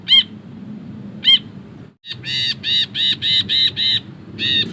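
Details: Long chattering ngekek song of an ashy bulbul, meant as a training master: two clipped sharp notes, a brief gap, then a rapid series of seven grating, buzzy notes in steady rhythm, with low hum beneath.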